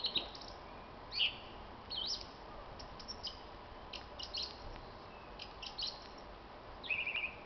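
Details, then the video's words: Common blackbird singing on a spring evening, 26 March 2010, with a dog joining in at times. Its song comes in scattered short phrases of high, squeaky twittering notes, ending in a quick rattled trill over a steady hiss. "niezwykłego śpiewaka - kosa"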